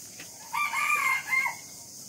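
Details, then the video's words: Rooster crowing, from a compilation of roosters calling in the morning: one harmonic cock-a-doodle-doo of about a second, a short rising start, a sustained middle and a brief falling end, over a steady faint hiss. "top 10 roosters crowing compilation | rooster crowing sound effect | rooster Calling in the morning"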